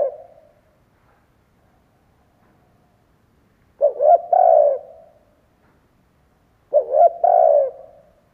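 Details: Vietnamese decoy spotted dove calling to excite and draw in wild doves: two low, mellow three-note coo phrases, each a quick double hoot ending in a drawn-out croo, about three seconds apart, otherwise quiet.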